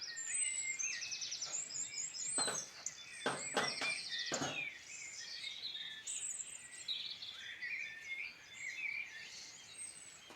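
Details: Birdsong from the Midlands of Ireland: fast rattling trills and high whistled phrases from several birds, interrupted early on by a few sharp clicking knocks, then steady twittering.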